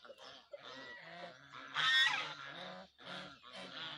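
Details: A group of geese keeps up an overlapping, almost unbroken stream of honks, louder and harsher near the middle.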